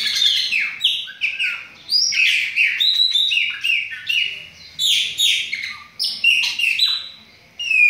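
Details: Lively chopi blackbird singing from several birds, a rapid sequence of bright, downward-slurred whistles with clipped, sharp notes between them. It goes on almost without a break.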